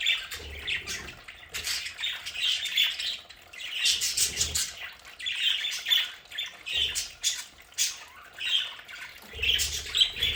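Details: Domestic budgies in an indoor play area chatter in repeated bursts of shrill squawks and warbled chirps, every second or two, with short low thuds between some bursts.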